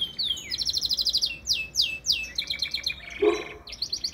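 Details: Canary song: fast rolling trills of repeated notes, sliding downward phrases and buzzy rattles delivered continuously without pause, one low harsh note midway, over a faint background hum.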